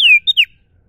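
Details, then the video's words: Common iora (sirtu cipoh) in a natural recording: a brief burst of three piercing notes, a long descending whistle, a short even one and another falling slur, all within half a second. "Burung sirtu cipoh suara alami"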